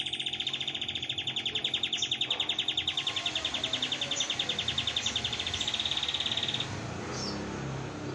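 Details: Canary tutored by a master bird, in dominant 'brem' song style: a long fast pulsing trill held for six seconds, followed by a quieter stretch with scattered high chirps.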